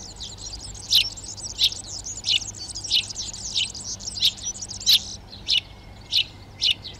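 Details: Eurasian tree sparrow calling in a Přerov garden, Czech Republic, 19 March 2020, while the sparrows take over nest boxes: short, sharp chirps repeated about every two-thirds of a second under a high, jingling trill from other garden birds.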